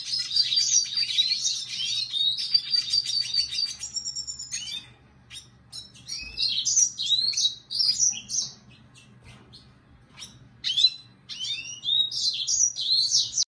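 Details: Red siskin song: a long run of high buzzy twittering with a rapid trill, a pause with scattered chirps, then further chattering twittered phrases; faint low hum underneath.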